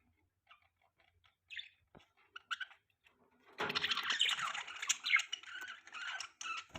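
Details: Budgerigars chirping: a few scattered short tweets and squeaks for about three seconds, then a dense, continuous burst of overlapping high chattering and warbling notes from several birds.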